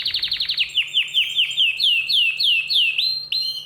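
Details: Excited canary singing: a rapid burst of short repeated chirps, followed by slower, evenly spaced, downward-swooping whistled notes about four per second, with a faint low hum in the background.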